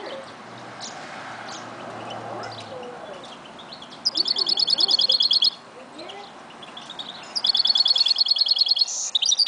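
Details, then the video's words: Goldfinch mule song. A quiet murmur of background noise comes first, then two loud bursts of rapid, evenly repeated high trilled notes with a short gap between them. "Mule Goldfinch"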